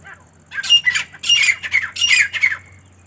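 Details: Female partridge (teetar) calling: three clusters of harsh, raspy squawking notes, each about half a second long, with a bright rasp and short breaks between clusters.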